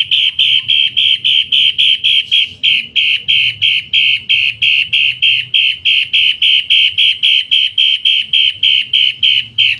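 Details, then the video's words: Long-tailed shrike kept as a cage bird for song tutoring gives a loud, harsh, grating note about three times a second in a steady rasping stream, with a faint low hum behind. "Burung Cendet Matahari, Masteran dengan Suara Kasar dan Keras"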